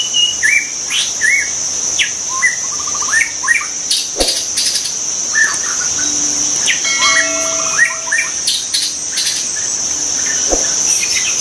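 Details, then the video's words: Wild white-rumped shama singing in nature: varied short whistles and chattering phrases scattered over several seconds, set against a loud steady high-pitched insect drone, with other bird chirps and a couple of sharp clicks. "kicau burung murai batu di alam liar"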